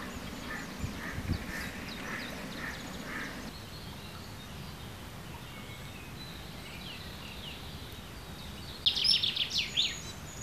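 A common kingfisher gives a quick burst of shrill, high whistled notes near the end, after a stretch of low rumbling background noise.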